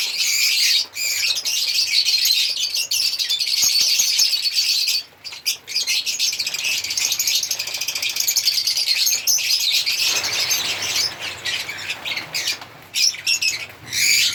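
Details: African lovebirds singing and chirping in a long, busy, high-pitched twitter with a few brief lulls.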